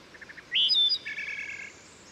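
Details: Wood Thrush song at a steep stream in Susquehanna State Park, Maryland: four quiet clipped notes lead into a rich ringing flute-like phrase and a rapid metallic trill, softly echoing through the forest.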